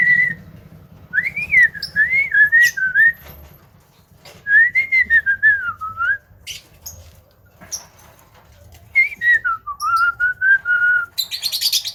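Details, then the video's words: Javan myna mimicking speech and sounds: clear whistled phrases that wobble up and down and slide downward, given in three bursts separated by short pauses, with a brief hiss at the end. "JALAK KEBO VIRAL BURUNG BEO SAJA KALAH DENGAN SUARANYA"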